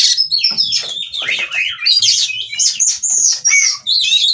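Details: Oriental magpie-robin, in breeding condition and wanting to mate, delivers ngobra song: a continuous flow of loud rising and falling whistles, trills and slurred notes packed closely together, barely pausing.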